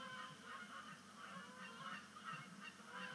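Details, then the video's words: Canada geese at sunset on Sapsucker Woods Pond as migration starts, 10 5 2019; brief, steady stretch of many overlapping honks, rough and nasal, forming an unbroken flock chatter. "First Canada Goose Sunset Splashdown of the Year"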